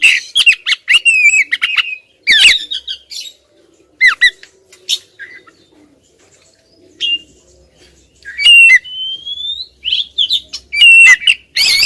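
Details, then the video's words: Insistent calls of a female Oriental magpie-robin aimed at a male: scattered scratchy chirps and short whistles come in irregular bursts with pauses, then a rising whistle and a final flurry of harsh notes, with faint wing flutters. "suara kacer betina ngotot bikin si jantan konslet"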